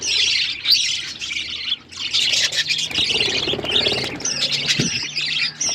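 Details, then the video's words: Budgerigars of bright colours keep up a busy, high-pitched chattering of chirps and harsh squawks, rising and falling in loudness with a short lull near the two-second mark and a faint low hum beneath. "Budgies beautiful colours birds chirping sound"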